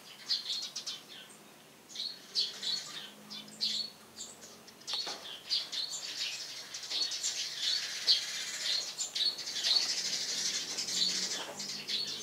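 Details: Eurasian tree sparrows (Passer montanus) on a house roof in the morning chirping busily: overlapping bright, sharp cheeps several times a second, with a soft flutter of wings now and then.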